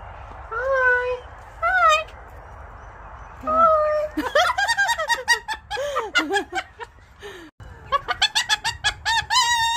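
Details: A talking sulphur-crested cockatoo gives drawn-out, nasal, wavering phrases, then a rapid run of harsh, chattering, speech-like syllables, somewhat like a rooster's crow.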